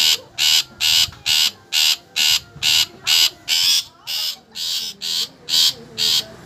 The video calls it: Suara Khas Burung Cendet